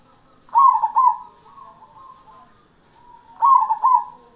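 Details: Lively song of a perkutut cemani zebra dove. Two loud, low, burry coo notes are followed by a fading warbled trill, and the whole phrase repeats after about three seconds.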